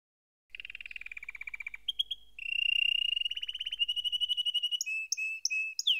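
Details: Canary song: a rapid trill near the low end of its range drops slightly, then brief whistled notes, a louder rolling trill and higher buzzy phrases, all quickly repeated syllables.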